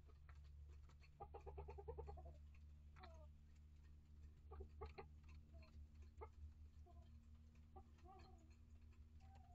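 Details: Hens and integrated young chicks in a backyard coop and run; a rapid run of about ten quick, even notes, then sparse clucks and soft calls spread over several seconds, with a low steady hum throughout.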